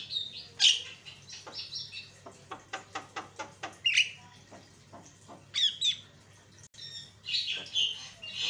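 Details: Javan myna lure sound meant to make other mynas aggressive: harsh squawks, then a rhythmic run of dry clicks, followed by sharp high whistles and raspy chatter.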